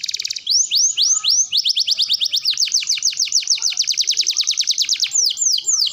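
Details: Canary tutor song for training juvenile and adult birds. A few high notes lead into a long rapid rolling trill of descending whistled syllables, then slower downward sweeps at the end.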